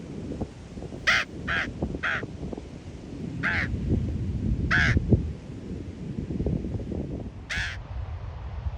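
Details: Ravens filmed at Ocean Beach in San Francisco: a quick run of three hoarse croaks, then three more spaced single caws, against gusty wind and low rumble.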